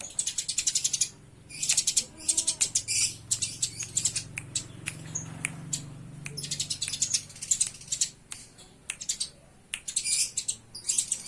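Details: Eurasian tree sparrows fighting give bursts of harsh, high chirps in rapid volleys, separated by short pauses, with a faint low hum underneath.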